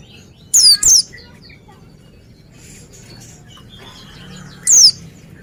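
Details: Oriental white-eye, described as singing vigorously: a quick pair of thin, piercing downward-slurred chirps, then a long near-silent pause with faint soft chatter before one more sharp chirp.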